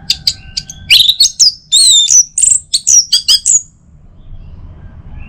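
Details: Orange-headed thrush singing in the morning to stimulate other birds: a dense burst of very high whistles, sweeping slurs and buzzy notes lasting about three seconds, then near silence.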